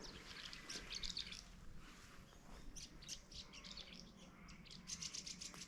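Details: Tree martins at a travelling stock reserve near Barraba, NSW, give their typical thin, high twittering chirps in quick bursts, fading and returning, over a low rumble of wind or distant traffic.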